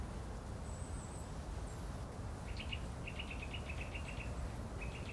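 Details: Eurasian nuthatch in spring, one of a pair where one keeps watch while the other builds a nest with mud, giving quick runs of about eight short, clipped mid-pitched notes per second over a steady low rumble.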